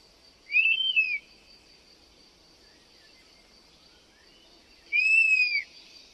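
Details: European honey buzzard whistling twice, each call a smooth, arched, plaintive note lasting about half a second, separated by some four seconds, with a steady high-pitched hum in the background.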